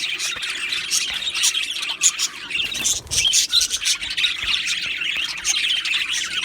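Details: An aviary colony of Australian budgies singing together. Overlapping shrill chirps and scratchy warbles run without pause, briefly dipping near the middle before the busy chatter swells again; a faint low hum persists throughout.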